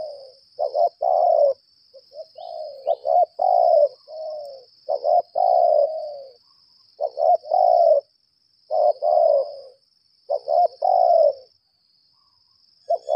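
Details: Long bout of challenge calling from a lambung kuk decoy spotted dove: coo phrases of quick double notes and drawn coos repeated roughly every two seconds, over a continuous high whine.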